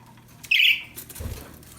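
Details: Happy budgerigar chirping: one short, bright, slightly harsh chirp lasting about a quarter second, followed by faint soft tapping and rustling in a quiet room.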